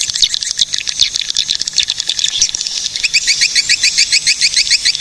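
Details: Swiftlets recorded in Cilacap, Central Java, Indonesia: dense, high, sharp chirps pour out in a busy chorus, then settle into a rapid, evenly repeated series of short rising twitters, about three or four per second.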